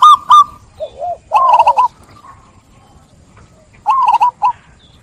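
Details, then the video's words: Local zebra dove singing actively to prompt other birds to join in: short bursts of clear, bubbly coos with a lower warbling note between them, the phrases separated by quiet gaps of about two seconds. "Perkutut Lokal Gacor | SUARA JERNIH Mengajak Yang Lain Ikut Bunyi"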